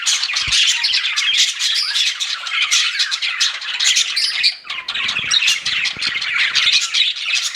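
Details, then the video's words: Pet budgies chirping together, said to be flirting: a dense, unbroken stream of quick high twitters and scratchy chirps overlapping throughout, with a brief lull near the middle and a soft knock early on. "CUTE PET BUDGIES CHIRPING"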